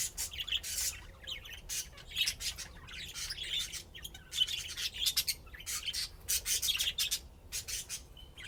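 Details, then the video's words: Budgerigars chattering during play in dense raspy, scratchy bursts mixed with faint high chirps, almost continuous with short pauses between them. "طيور الحب لعب وزقزقة"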